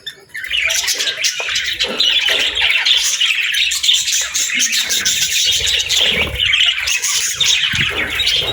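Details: Parent budgerigars with chicks during feeding and bonding; a steady, busy stream of shrill warbling chirps and clicks that begins abruptly and continues without pause for eight seconds.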